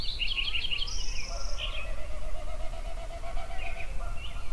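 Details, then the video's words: A songbird at sunrise in Yellowstone sings a brisk stuttering phrase, a high buzz, then a long even series of quick repeated low notes, with a steady low rumble beneath. "Sunrise Songbirds at Yellowstone"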